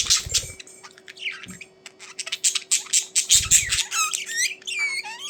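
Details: Budgerigars kept indoors, chattering with dense warbles, squawks and rising whistled notes; a faint steady hum runs underneath and low thumps sound in places.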